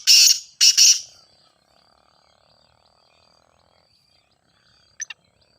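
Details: Grey francolin (teetar) call for training: two loud, scratchy, high bursts in the first second, then long quiet with a faint steady tone and a brief double chirp.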